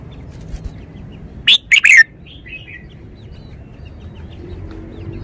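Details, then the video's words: Red-whiskered bulbul, a stout-built bird showing its song phrasing with every note stressed clearly: one short burst of three loud, bright, slurred whistled notes, followed by a few faint softer notes over a quiet background. "นกกรงหัวจุก 496 จ้าวคำหมาน แกนโต โชว์สำนวน ชัดเจนเน้นทุกดอก"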